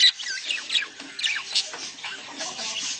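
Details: Budgerigars chattering in a breeding-stimulation recording: softer, scratchy high warbles and squeaky downslurred notes, with a louder squawk at the start.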